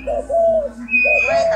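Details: Hybrid spotted dove cooing: two soft, low hooting coo phrases, each a brief note followed by a longer, level drawn-out coo, repeated twice in quick succession, indoors-sounding and close.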